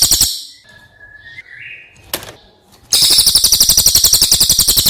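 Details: After a short burst and some faint scattered sounds and a knock, a brown cililin, a bird from outside Java prized as a master voice, launches into a loud, sustained, high rolling trill of rapid repeated notes.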